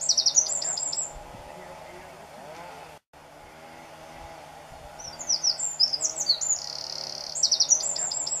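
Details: Eurasian wren vocalizing on 2 June 2014 at Garganta del Cares, Bulnes entrance, Picos de Europa, Asturias, Spain: very high, rapid tinkling notes and a fast dry trill, quiet pauses between phrases, low background hum.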